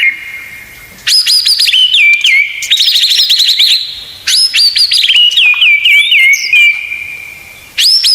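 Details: Murai batu (white-rumped shama) tutor recording rich in 'tembakan' phrases for caged birds. Sharp high whistles fall into rapid buzzy rattles, repeated in three loud bursts with near-silent pauses between them.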